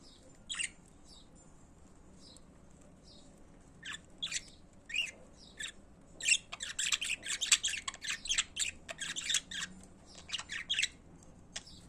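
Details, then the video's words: Pet budgerigars in song: scattered scratchy chirps build into a dense, fast warbling chatter of buzzy squawks and clicks, easing back to sparse twitters near the end. "Periquitos de Estimação Cantando"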